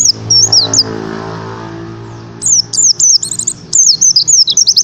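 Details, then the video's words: Oriental white-eye tembakan-style master song used for training: high, sharply slurred whistled notes, a brief pause, then a lively run of twittering and zigzag phrases delivered in quick succession. "Masteran Pleci Tembakan X - Pender"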